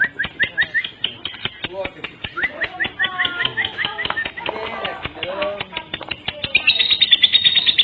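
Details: Lure sound of lovebirds meant to draw in other lovebirds: continuous shrill, rapid chattering with clicks and twittering notes, growing denser and higher toward the end.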